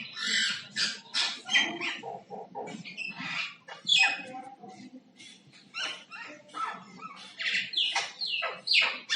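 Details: Singing common myna making different sounds, alternating scratchy squawks, short low clucks and bright whistled notes in quick irregular bursts throughout.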